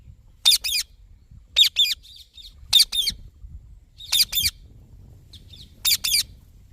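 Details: Repeated harsh double screeches from a green Indian ringneck parakeet, each pair roughly a second apart, with faint chatter in the gaps.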